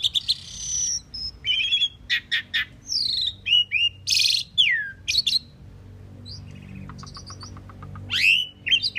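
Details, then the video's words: Indian maina or common pied myna song: a lively jumble of whistled slurs, harsh noisy bursts, falling squeaks and a fast run of clicks, repeated in short phrases across several seconds, with a soft low hum behind. "Common pied myna bird song /Indian maina sound /mynah singing / starling pied bird"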